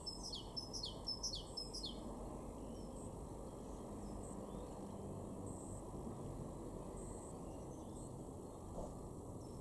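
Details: Great tit singing in a garden in Weener, East Frisia, far northwest Germany, March 2023: four quick high two-part phrases, a sharp note dropping into a slurred lower one, about two per second, then a steady low rumble of background noise.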